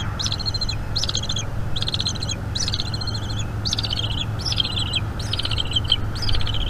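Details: Bald eagle eaglet begging at a northeast Florida nest, recorded by a nest camera on an evening in May 2021 while its mother feeds it squirrel. It gives loud, high, rapid chittering bursts about once a second over a low background rumble.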